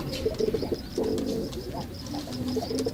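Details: Male pigeon in display, throbbing bursts of low pulsed cooing interspersed with smoother drawn-out coos, while a chorus of high twittering small birds runs throughout.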